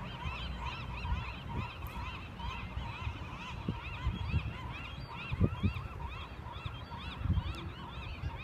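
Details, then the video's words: A flock of marbled godwits in flight on a fall day at Westport gives a dense chorus of nasal, honking calls, rapidly repeated and overlapping, over a low rumble of wind. "Marbled Godwit in Flight"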